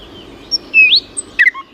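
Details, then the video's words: A short phrase of bird song: a thin high note, a sliding whistle that rises sharply at its end, then a quick twittering burst, over faint low hum. "пение птиц"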